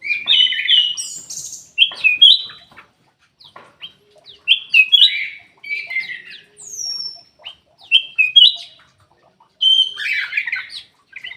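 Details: Sooty-headed bulbul song played as a lure to prompt quiet caged birds into singing, bubbly whistled phrases repeated in bursts of one to two seconds with short gaps, some high thin notes between.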